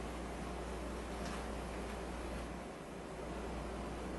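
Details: Low, even hiss and rumble like an air conditioner or distant engine, without any animal call.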